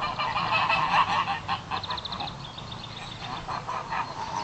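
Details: A few geese upset by a horse, filmed on a phone: a run of harsh, nasal honks in a burst midway, over rough outdoor background noise.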